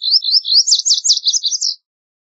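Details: A Lazuli bunting sings a quick, high-pitched phrase of paired sweet notes rising into sharp down-slurred chirps, roughly fifteen notes packed into under two seconds, clean with no background noise.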